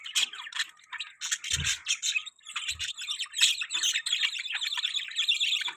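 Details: Budgerigar chirping: rapid high warbled chatter of scratchy notes and short squeaks running almost continuously, with a couple of low knocks.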